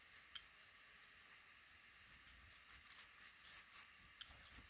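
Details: Black redstart pair nesting in a roof nook right above a regularly used front door, five chicks in the nest; scattered high-pitched chips that quicken into a dense cluster of rapid, sharp notes near the end.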